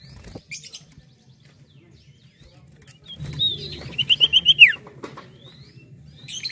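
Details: Common Iora song: a fast run of about six steady whistled notes closing with a falling slide, framed by brief chirps, light rustling and soft hum.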